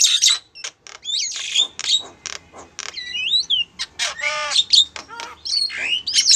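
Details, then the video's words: A female Javan myna calls a male with varied creaky, ratcheting notes, looping whistles and short squeaks, delivered in an uneven rapid stream. "suara burung jalak kebo betina manggil jantan"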